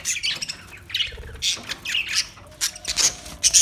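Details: Newly arrived budgerigars giving short, high, scratchy squawks and chirps in uneven bursts, some rising sharply, with brief quiet gaps between calls.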